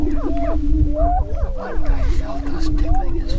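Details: Chorus of Greater prairie-chickens at a lek near Crookston, northwest Minnesota, on 27 April 2013, in the spring mating dance: a continuous low moaning hum beneath repeated rising and falling whoops and cackles, with wind rumble.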